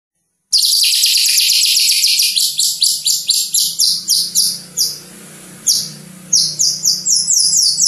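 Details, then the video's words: Captive White-rumped shama of the Medan type, a competition songbird kept by hobbyists, singing loud, rapid, high buzzy notes repeated several times a second in long series, with a short pause midway before the series resumes. "murai batu medan super gacor"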